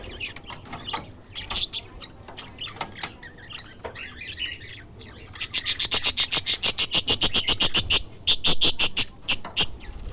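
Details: Captive budgerigars kept for sale chirp in rapid, high, scratchy bursts, with several birds calling over each other.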